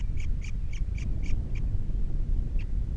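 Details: Osprey at a Captiva nest with three chicks, filmed by nest camera on 21 February 2022: a rapid run of short, bright chirps about every quarter second, then a pause and one more chirp, over steady wind-like rumble.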